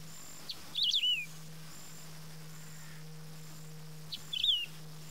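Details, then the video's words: Wedge-tailed grass-finch (Emberizoides herbicola) song: two short, quick songs about three seconds apart, each a sharp note then a bright warbled phrase dropping at the end, over a steady low hum. "CANTO do CANÁRIO-DO-CAMPO (EMBERIZOIDES HERBICOLA), WEDGE-TAILED GRASS-FINCH, TIBIRRO-DO-CAMPO"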